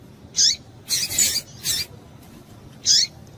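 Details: A female double-collared seedeater gives calls to stimulate males. A single high chip is followed by a rapid run of three scratchy notes, then a pause and one more sharp whistled chip.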